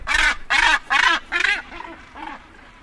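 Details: A northern gannet at the edge of a colony, where birds land and take off, gives four loud, harsh, rasping calls about every half second, then two fainter ones as the bird moves off.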